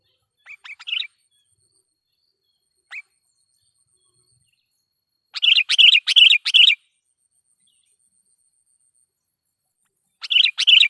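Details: Sooty-headed bulbul lure song, loud and used to provoke wild bulbuls: a short chirpy phrase, a lone note, then a burst of bubbly, repeated notes near the middle and another at the end, with quiet gaps between.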